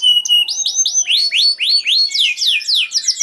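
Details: Canary singing to coax quiet canaries into song: a steady whistled note followed by a quick series of rising-then-falling slurred syllables, about four per second, growing denser toward the end.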